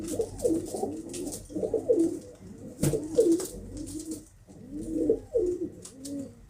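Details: Pigeons making low, throaty warbling coos in clustered phrases, with sharp clicks and brief rustling between groups of notes.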